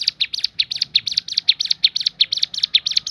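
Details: Bar-winged prinia (ciblek gunung) in its shooting-style 'tembakan' variation: bright, high chirps fired in close pairs and triplets in a rapid, even rhythm with no pauses, against a quiet background.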